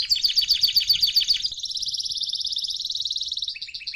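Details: Canary singing as a model for young canaries: a fast series of sharp chirps, then a long smooth rolling trill lasting two seconds, ending with a few short notes.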